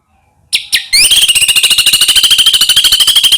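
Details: White-rumped shama singing as a lure to get other shamas going. Two quick upswept whistles are followed by a long, even, buzzy trill of rapidly repeated notes that holds steady to the end.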